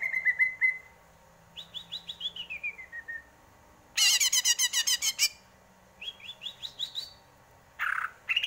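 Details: Greater green leafbird song: a string of descending whistled notes, then a dense loud chattering burst, a rising series of chips, and a harsh note at the end.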